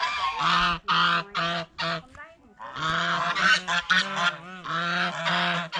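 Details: Loud, steady honking by geese at a fish pond as they eat bread and fresh vegetables, repeated nasal calls in rapid succession with a brief lull.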